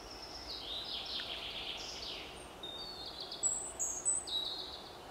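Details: European robin singing outdoors: thin, high, wavering whistled phrases with sliding notes, then sharper high trills and squeaky notes over steady background hiss.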